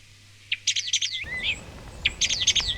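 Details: A common starling sings near its nest under a hut roof, flapping its wings as it sings: a jumble of high clicks, rattles and whistles with a slurred downward whistle, in two bursts, with faint background rumble.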